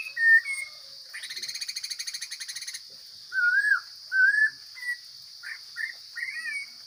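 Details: Wild Chinese hwamei singing: a brief whistle, a long pulsed buzzing rattle, then looping whistled notes and short chirps, set against a continuous high hiss.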